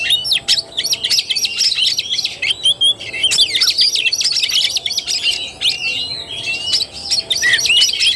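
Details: Kacer tarung, the fighting-style song of an Oriental magpie-robin, dated 17 August 2021: busy, high chattering phrases packed with quick rising and falling whistles and clicks, nearly unbroken across the recording, over a low steady hum.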